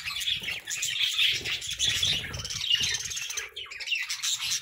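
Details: Budgerigars chirping in the morning: dense, continuous high warbling chatter with quick twittering notes and squeaks overlapping throughout, plus faint low rumbling in the background.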